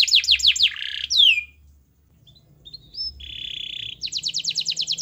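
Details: Lively canary song used as a prompt for a lazy canary: fast pulsed trill and a sharp falling slur, a short quiet gap with soft notes, a flat buzzy tone, then a rapid rhythmic trill.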